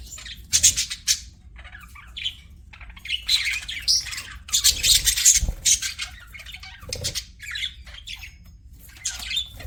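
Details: Pet budgies keeping up busy chatter: rapid scratchy warbles, squawks and chirps tumbling over each other almost without pause, a few low knocks in between.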